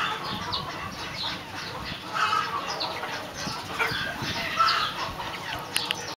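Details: Swinhoe's pheasant giving short, harsh clucking notes in the mid range, repeated irregularly, over a dense background of fine ticking and chirping sounds.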